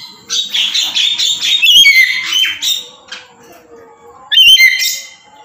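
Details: A tame, talkative black-capped lory pours out a quick run of harsh, buzzy squawks for a few seconds, falls silent, then lets out one more piercing screech.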